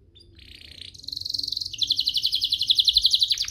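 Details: Canary singing, played to provoke other canaries: a soft buzzy note rising into a fast, regular rolled trill that grows louder toward the end, over faint low background hum.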